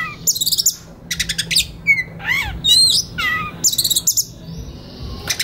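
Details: Kacer, the Oriental magpie-robin, in relaxed then konslet singing meant as master song for young forest-caught birds; rattling high trills alternate with clear whistled chevrons and short downward-curving notes.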